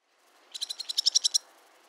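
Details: Barn swallow producing a rapid dry rattle: about ten high pulsed notes growing louder, delivered in under a second.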